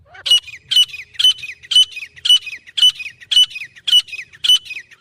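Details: Grey francolin (teetar), offered as a real recording for use as a hunting call: loud, harsh, high-pitched notes in a steady series of about two per second, each a squawk followed by a short falling tail, with no other sounds.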